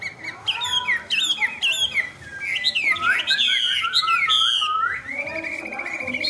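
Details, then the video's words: A tame Chinese hwamei kept in a cage sings a fast medley of bright, sliding whistles and quick chirped notes, ending on a long, even high whistle. "Họa mi xòe, Thuần đẹp mau mỏ hót hay"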